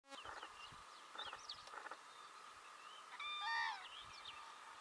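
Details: Common cranes in Belarus in spring 2017. Short pulsed notes come first, then a loud rising-and-falling trumpeting call with rich overtones near the end, with faint chirps of other birds.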